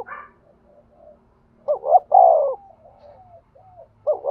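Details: Spotted dove kept as a trapping decoy, cooing to lure others. A brief faint note is followed by one loud phrase of two quick rising hoots and a long sliding coo, with soft trailing coos and a final rising note.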